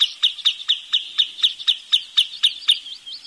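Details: Rapid, evenly spaced high whistled notes from a Wood Sandpiper, around four per second, with about a dozen sharp 'chip' calls in a steady series.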